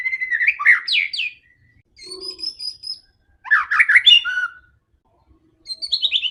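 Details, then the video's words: White-rumped shama in aggressive fighting song meant to provoke other shamas: bursts of fast sweeping whistles and chatter, a high thin trilling phrase, and closing rapid descending high notes. "MURAI BATU GACOR‼️ SANGAT FIGHTER DAN GANAS UNTUK PANCINGAN MURAI ANDA"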